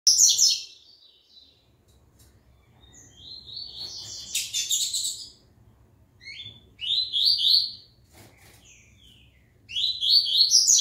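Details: Double-collared seedeater labelled IT, coming back into song after the moult: bursts of bright, fast, slurred chirpy notes, sliding and warbling, in phrases separated by pauses of a second or two, with faint low background hum.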